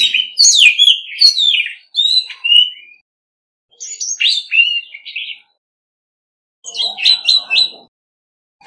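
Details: Orange-headed Thrush, a decoy bird, singing competitively in a clean recording: three bursts of rich, varied phrases with slurred whistles and buzzy notes, high and bright, separated by short silent gaps.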